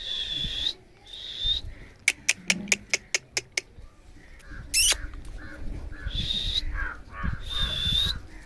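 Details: Angry Alexandrine parakeet uttering broad, raspy screeches before and after a run of about eight sharp, evenly spaced clicks, with a brief high burst and soft background hum.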